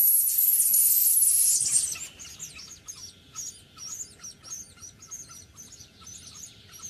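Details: White-breasted waterhen chicks in a natural nest under a house floor in Vietnam, tended by a parent, give thin, very high peeps, about two a second, in an uneven chorus after a loud burst of rustling noise.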